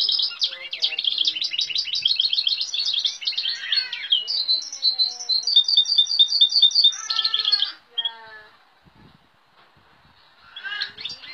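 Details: Caged goldfinch (Carduelis balcanica) x Timbrado canary mule singing, its song said to hold sounds of goldfinch, great tit, cirl bunting, nightingale, western rock nuthatch and woodlark; rapid high twittering trills and repeated chirps, then a pause before resuming, amateur recording.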